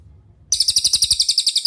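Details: Master song of a cililin, meant for training songbirds like Murai Batu and Kacer: a sudden start of quick, high, sharp repeated notes after a brief quiet moment.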